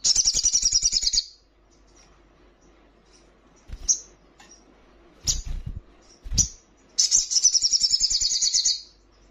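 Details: Female ruby-cheeked sunbird calling for a male while in breeding condition: two fast, buzzy, high trills about a second or more long, with scattered single notes and soft knocks between.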